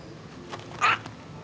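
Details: A male pet cockatiel, singing a song learned from his brother, gives a single short, bright whistled note in a quiet indoor room.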